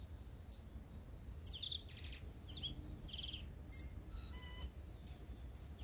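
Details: Tūī waking up before sunrise in Manawatu, New Zealand, a native bird: a rapid varied run of high squeaks, wheezy notes, clicks and a buzzy stacked tone, with irregular spacing over a quiet hum.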